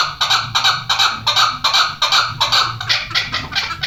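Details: Chukar partridges, a hunting bird and a female, give rapid harsh clucking chuk notes, about three per second, loud and fairly regular across the whole stretch, over a low steady hum.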